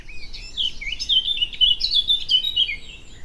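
A blackcap sings a rich, fast warble of clear whistled notes, rising and falling without pause, over a faint low background hum.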